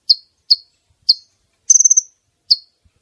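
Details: Female brown-throated sunbird calling, a sound used to entice males within reach of a net. Three clipped, high chips, one buzzy trill of about six pulses, then a final chip.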